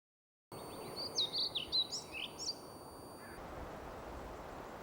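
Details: Male European pied flycatcher singing in Sweden while a female listens: one quick phrase of sweet, high, rising and falling whistled notes lasting under two seconds, over steady broadband background noise and faint constant electrical tones.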